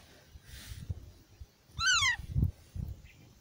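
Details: A single harsh, harmonic screech falling in pitch from active Indian ringneck parakeet chicks in a park, set against low rumbling background noise and faint distant sounds.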